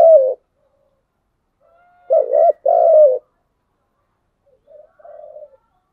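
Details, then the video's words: Spotted dove, 'giọng đồng' voice, cooing. A single short coo is followed after a pause by a phrase of a burry wavering note and a longer level coo. Softer, muffled coo notes trail off near the end in otherwise silent surroundings. "Cu gáy giọng đồng"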